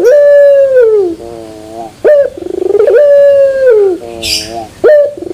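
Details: Barbary dove song in the pelung style with a metallic-toned ending: an extended level coo sliding down into soft lower notes, followed by a short rising note, a quick rolling trill and another long coo, brief hiss midway.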